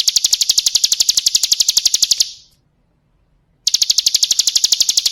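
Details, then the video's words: A female Bar-winged prinia calls as a lure for males, giving a brisk, regular series of high, dry clicking notes, falling silent for over a second before starting again. "Pancingan ampuh agar ciblek gunung ikutan bunyai suara Jernih"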